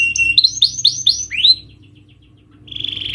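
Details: Canary lure song for a reluctant singer: a few high looping whistled notes and a falling slur, a pause, then a brief buzzy trill starting.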